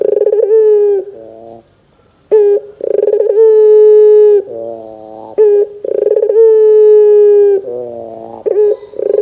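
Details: Loud, clear Barbary dove cooing used to provoke young doves to call. Buzzy trilled openings lead into long sustained coos that fall slightly in pitch, with a silent pause early on.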